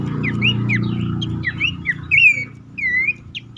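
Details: Abbott's babbler call used as a lure for silent or stressed caged birds: a run of short rising and falling whistled slurs, ending in two longer clear whistles, with a low rumbling hum underneath.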